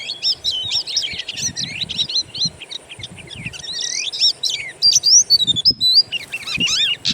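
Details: Oriental magpie-robin lure from wild bird sounds to draw out singing: dense, hurried chirps and slurred notes, a moment of clear looping whistles, then another rapid chattering burst.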